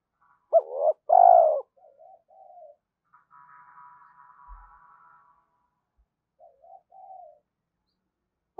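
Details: Spotted dove coo used to excite other doves: one loud two-part phrase, a brief note then a drawn-out husky coo, followed by soft low murmurs and a faint buzzy trill in the background.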